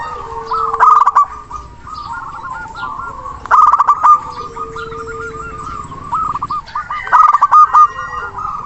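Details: Zebra dove of local stock, big-voiced and long-breathed, calling out to a rival bird; three separate phrases of quick repeated cooing notes, each opening with a louder stuttered burst, with soft coos between phrases.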